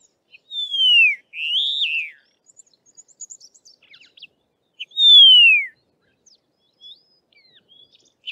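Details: Karoo Long-billed Lark, South African population, calling in the southern Karoo: a short note, a loud downward-sliding whistle and a burry arched phrase, then after a pause of soft ticks the descending whistle again.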